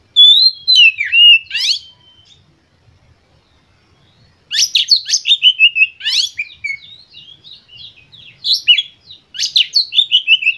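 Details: Oriental magpie-robin lure song (pancingan), full of emotion, used to get other magpie-robins singing: loud bursts of rapid, varied whistles and buzzy chirps, broken by a pause of about two seconds, then a long excited chattering phrase.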